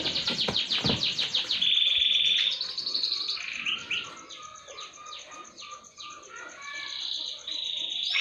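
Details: Canary singing a lure song meant to prompt other birds to sing. Quick descending trill notes open the song, followed by a long buzzy note, then sweeping chirps and whistles, with a faint steady high ticking behind.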